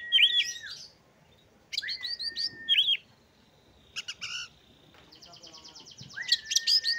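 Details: An Oriental magpie-robin sings bursts of sweet, varied whistles, long level notes and a fast buzzy trill, with short pauses between phrases over a faint hiss.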